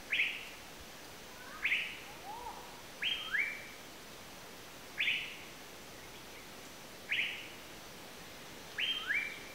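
An Asian paradise flycatcher gives harsh, rasping notes, single or doubled, about every one and a half to two seconds, with a fainter lower note once.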